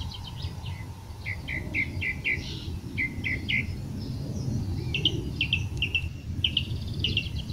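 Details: A song thrush (Turdus philomelos) in Portugal gives bright, clipped notes in quick runs, repeating each short phrase several times, over a steady low rumble of wind or distant traffic.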